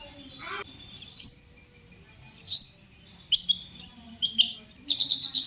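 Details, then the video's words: Shrike lure song to get other shrikes answering: two loud swooping high notes, then a quick run of chattering and buzzy repeated phrases. "cendet gacor pancingan burung cendet agar cendet bunyi INI AMPUH BIKIN burung cendet lain NYAUT"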